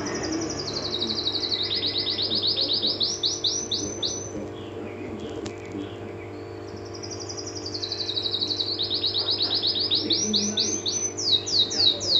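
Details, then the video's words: Canary singing high, fast rolling trills in two bursts separated by a quieter stretch, over a constant low background hum. "Kenari Gacor | Birdsong Kenari | Chirping Canaries"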